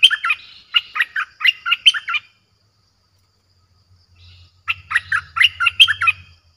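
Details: Lure song of a streak-eared bulbul, fierce in tone, used to draw in wild birds: a run of about seven rapid, chirpy warbled notes, a silent gap, then a second similar run, with a faint low hum.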